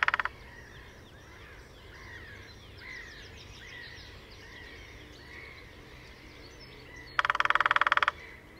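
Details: At Sandemar Reserve, Sweden, on a sunny early morning, a lesser spotted woodpecker of a pair on territory drums in display, parabola-recorded: soft mixed birdsong for several seconds, then a loud rapid roll of knocks near the end, with a short burst opening.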